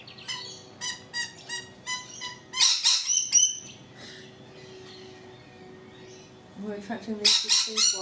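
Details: Balcony rainbow lorikeets give a run of rapid, evenly spaced chattering notes, then harsh overlapping screeches and a burst of louder, grating squawks at the end.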